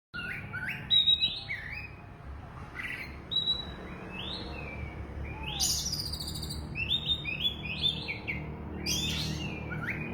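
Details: Oriental magpie-robin singing intensely: scattered bright whistled notes, short rising slurs and harsh buzzy bursts high in pitch, loudest near the first second, over a steady low hum.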